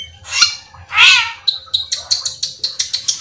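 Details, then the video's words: Full isian cucak keling song used to trigger rivals to sing: two harsh squawks followed by a quick regular series of short high chips. "pancingan cucak Keling gacor teler Full isian"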